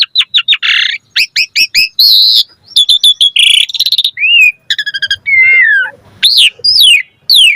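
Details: Vigorous varied song of an Asian pied starling, a lure for other starlings to sing: quick series of sharp whistled notes, buzzy bursts, a rapid trill, then slurred and steeply falling whistles.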